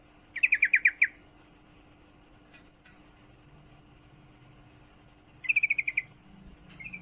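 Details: A female yellow-vented bulbul in heat calls for a male in two loud rattling bursts of about seven fast notes, five seconds apart, with thin high twitters and a low murmur afterwards.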